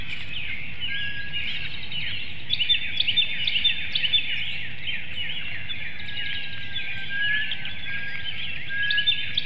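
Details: Female bald eagle at a nest webcam in Hanover, Pennsylvania, at 6:28 a.m. on 6 April 2019. She is brooding a hatchling and an egg and calls out to her mate. Thin, high chittering notes come in quick, uneven series.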